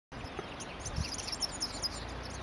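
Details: Female southern double-collared sunbirds (Cinnyris chalybeus) at Kirstenbosch botanical gardens, Cape Town, South Africa, on 26 July 2012, giving a scatter of thin, very high, quick chips over a steady low rumble of background noise.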